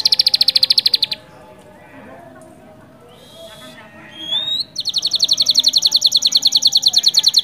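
A canary sings in fast, high rolling trills. A short quiet pause holds a few rising whistles before the rapid trill starts again.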